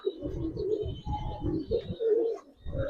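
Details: Low, throaty coos from silver Budapest highflyer pigeons kept in a loft, rolling on in overlapping murmurs with short pauses and a steady low background hum.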